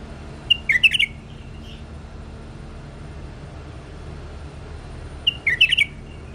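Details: A tame bulbul sings two short, lively twittering phrases of rapid liquid notes, separated by about four seconds of quiet with a low background hum.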